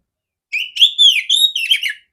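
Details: Female oriental magpie-robin singing, kept for training other magpie-robins: a clear, full phrase of slurred whistles between roughly two and four kilohertz, rising then falling, ending in a quick warbled flourish.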